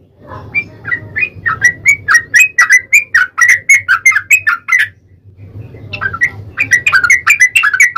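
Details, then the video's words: Yellow-vented bulbul singing a lure song to make other birds respond: a flowing series of quick, liquid warbled notes, a brief pause, then another bubbly chattering run. "trucukan gacor TARUNG ROPEL PANJANG pancingan trucukan agar bunyi"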